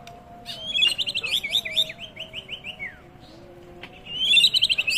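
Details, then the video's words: White-rumped shama song played as a lure to make birds respond. Quick high chattering phrases with a run of rapid descending slurred notes, a short pause, then another burst of fast high twittering. "Auto Bikin Murai Emosi/Nyaut..!! Pancingan Suara Murai Batu"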